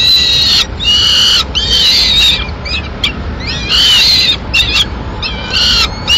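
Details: At the nest in Madrid, 21 May 2016, a peregrine falcon female delivers pigeon meat to two chicks. Loud, harsh, harmonic wailing screeches of up to a second alternate with shorter curved squeals.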